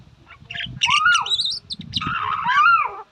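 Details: Myna (shalik) producing loud, slurred whistles that rise and then fall, with high buzzy overtones, over a low rumbling background noise.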